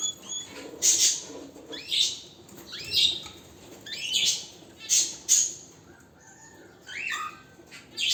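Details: Canary in strong song, giving high, bright bursts about once a second, each a short rasping note with rising sweeps, separated by quiet gaps.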